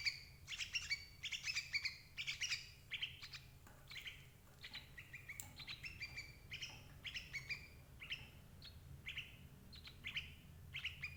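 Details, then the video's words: Sooty-headed bulbul calls, used as a lure to trap adult birds: dense bursts of short, sharp, harmonic chirps, often in quick clusters of two to four, falling and rising, repeated steadily throughout, over a faint low hum. "suara burung crucuk ampuh jebak indukan"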